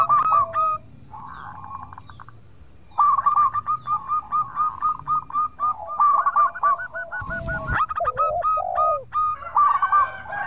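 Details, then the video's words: Local zebra dove singing hard, a song meant to provoke rivals into replying: long strings of rapid, evenly spaced clipped coo notes with brief interruptions and a low swooping coo partway through. "Perkutut Lokal Gacor Suara Merduk Cocok Buat Pancingan - Bikin lawan langsung Nyaut!!!"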